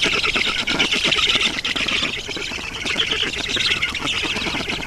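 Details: Black storks at a nest in Estonia on 7 June 2019 at 11:03, while an adult brings water; a harsh, hissing, rasping chatter runs continuously, with dense rapid pulses throughout.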